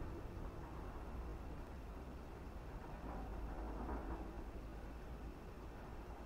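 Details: Steady broadband rumble like passing traffic, heavy in the low range, with no animal voice heard.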